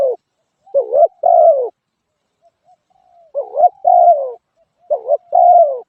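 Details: Mellow repeated cooing from a spotted dove, three phrases each ending in a longer, slightly falling coo, with brief silent gaps and nothing else audible.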